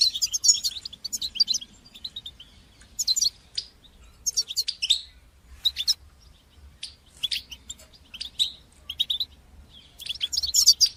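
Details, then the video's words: Goldfinch song played to teach young goldfinches, given as a series of separate high twittering bursts and buzzy trills spaced roughly a second apart over a quiet background. "تقنيات تحفيز طيور الحسون لتشجيع نجاحها في التغريد"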